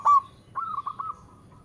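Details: Local zebra dove calling melodiously: one short loud coo, a brief pause, then a soft wavering stuttered trill that fades out.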